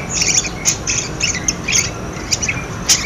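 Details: Chattering of budgerigar, played to coax quiet budgerigars into calling: rapid chirps and short buzzy squawks in uneven bursts about every half second, over a low steady background hum.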